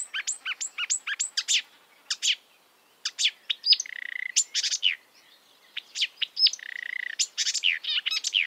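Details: Wild marsh warbler song made of quick, sharp, high notes in bursts, with short pauses and two drawn-out buzzy phrases mixed among the chirps.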